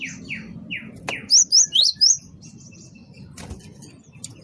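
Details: Great tit song used as a lure for trapping birds: a few slurred downward notes, then four loud, sharp, rising-falling high whistles in quick succession, with faint chirps and low background rumble.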